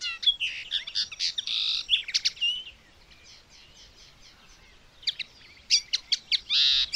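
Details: A common linnet sings a fast, twittering jumble of chirps, buzzy trills and clear notes, pausing briefly mid-phrase before resuming; recorded 19 May 2021.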